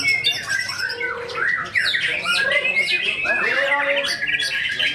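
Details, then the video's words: Contest white-rumped shama of tame character, competing in the main 16G ticket class, delivering imitative fill-in song: loud rising whistles, chattery bursts and a low hollow note, with other birds singing close behind. "MB Kodrat Muntahkan Isian di Tiket Utama 16G❗ burung yang berkarakter jinak"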